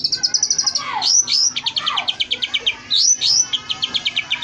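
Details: Oriental magpie-robin fill-in phrases for caged bird training: rapid, steady series of high ticking notes, about six per second, broken by sweeping downward whistles and upslurred squeaks.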